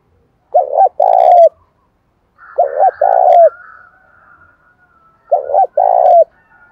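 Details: Rainy seventh-month spotted dove, worked up to fight and provoking wild birds: three low two-part coo phrases, each a quick doubled note then a drawn-out coo, spaced about two seconds apart, with a faint thin whistle between.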